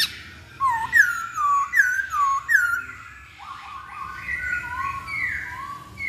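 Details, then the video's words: Masked laughingthrush song as a lure to make a bird sing: a series of descending slurred whistles roughly every half second, followed by quieter overlapping rising and falling whistles. "Pancingan Poksay Hongkong Paling Ampuh"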